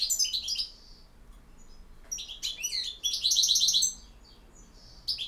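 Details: European goldfinch delivering campero song: rapid high twittering phrases, brief sharp calls, then a loud stretch of rolling, liquid trills and tinkling notes.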